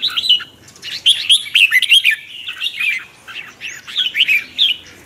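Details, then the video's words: Red-whiskered bulbul in morning voice training, its song called twisting; a steady flow of quick looping whistles and chirpy notes, bright and clear throughout. "Luyện chào mào hót sáng, Giọng xoắn QUÁ HAY"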